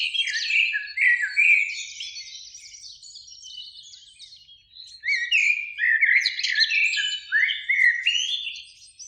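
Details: Two Eurasian blackbirds singing in a spring beech tree near a lake as evening sun falls; two lively phrases of fluted, sliding whistles interwoven with high, chattering twitters, a quieter stretch between them.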